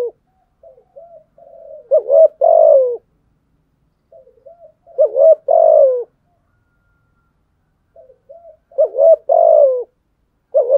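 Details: Fighting coo of a spotted dove: a murmured soft phrase, then a clipped coo and a fuller descending coo. The sequence comes three times across the recording, with silence between phrases.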